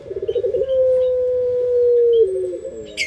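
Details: Barbary dove (puter pelung) lure song: a stuttering start that swells into one long, smooth, slightly falling low coo lasting about two seconds, ending in a short broken tail, with a faint chirp.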